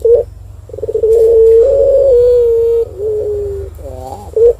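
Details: Lure call of a turtle dove meant to prompt other birds to answer. Short low notes lead into a drawn-out, even, rolling coo of about two seconds, then a softer falling coo and brief clipped notes.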